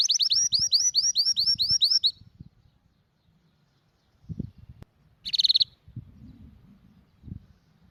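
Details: Sparrow singing as a model for other birds: about two seconds of quick, high, evenly repeated chirped notes, then near silence with soft low knocks and one short, bright burst.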